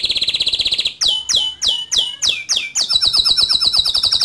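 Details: Singing male canary, rolling and shooting notes, suited for teaching young canaries: a fast buzzy trill, five loud sharply descending whistles, then a rapid run of high repeated notes.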